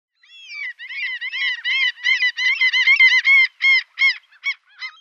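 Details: Gull at the seaside giving a fast series of shrill, piercing, nasal yelps, roughly three per second, running together at first and then breaking into separate, shorter notes that fade toward the end; no other sounds are clear.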